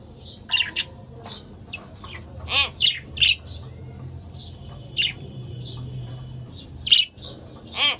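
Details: Pet budgerigar couple in lively chatter: rough, harmonic squawks mixed with quick chirps and clicks, bursts clustered around the middle and end, over steady low hum.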